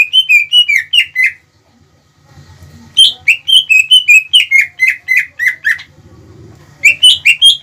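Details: Greater green leafbird in full song, used to provoke rival birds into calling; bright whistled and chattering notes repeated about two per second in two bursts with a pause between, faint low hum in the gap.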